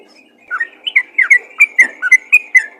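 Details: Quick sequence of liquid chirps and short bubbly notes from a yellow-vented bulbul calling others, about ten notes in under three seconds with a faint hum beneath.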